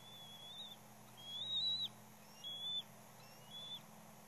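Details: A third juvenile bald eagle intrudes at a nest with chicks and parents. Thin, high, slightly wavering whistles come in four separate bursts, each lasting under half a second, over a constant low hum.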